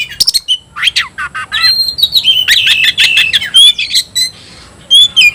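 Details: Oriental magpie-robin, caged, 'tayoraky' variant, singing swooping whistles and quick chips, including a buzzy churring stretch, ending with a few bright whistled notes after a short pause.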